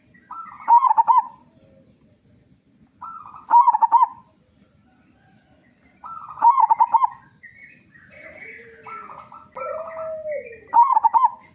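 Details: Zebra dove, a loud local bird, sings as a lure for other doves: trilled, bubbling coo phrases every three seconds or so, with a lower slurred whistle late in the clip and faint background hum.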